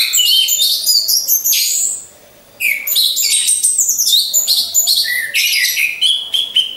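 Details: Orange-headed thrush, caged and hung alongside others, giving a lure song: quick, varied high chattering phrases with a brief pause, then a renewed burst of jumbled whistles.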